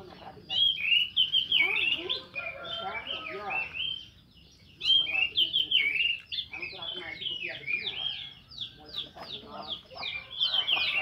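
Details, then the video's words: Orange-headed thrush in the morning singing a rich, varied song of quick whistled and scratchy phrases in bursts, with brief pauses between sections; a faint voice-like murmur underneath; used to prompt silent thrushes to sing. "Anis merah Ngeplong"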